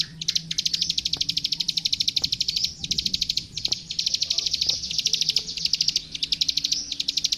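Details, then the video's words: Plain prinia, locally klik klik, singing on a master recording for young birds: bursts of fast, crisp, high clicking notes separated by brief pauses, with faint low background noise. "Suara Masteran Burung Klik Klik Gacor"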